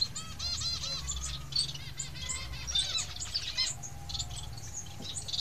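Society finch chicks give a dense chorus of rapid, high, thin chirps that overlap continuously, over a low steady hum.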